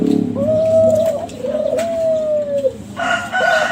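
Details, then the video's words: Kelantan spotted dove lure song from champion contest-bred young birds: two long, smooth, slightly falling coos, then a fainter overlapping call at the end. "SUARA DERKUKU KELANTAN TRAH JUARA PANCINGAN"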